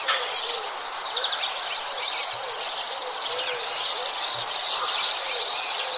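Starlings chatter continuously in a dense, high-pitched mix of squeaky whistles, clicks and rapid chirps, with many birds calling at once and no pause.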